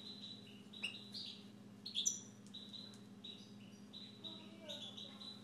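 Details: Siberian goldfinch belonging to its owner: high piping notes stepping between two pitches, a couple of sharp metallic chirps, then more repeated short whistles, all over a quiet steady hum.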